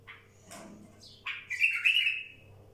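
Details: Wild bulbul singing: a short upward-sweeping note, then a loud, rich, slightly harsh warbled phrase held around the middle of its range for about a second, with faint low hum behind.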